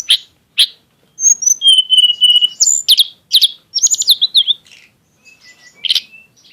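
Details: A tledekan gunung in full song, said to have an exotic style: sharp high chips, a sustained buzzy whistle around two seconds, then dense rapid notes and a closing faint twitter with a loud chirp.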